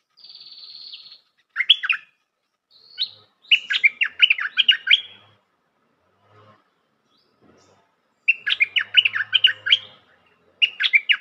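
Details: Lure call of a bulbul for trapping: a sustained high whistle, then repeated bursts of fast bubbling chatter separated by short gaps, with a faint low hum in the background.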